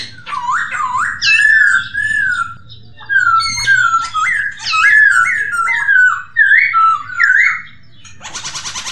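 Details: Masked laughingthrush song, meant to stimulate kept birds: repeated swooping whistles in steady sequence, loud and melodic, ending in a short burst of harsh noise.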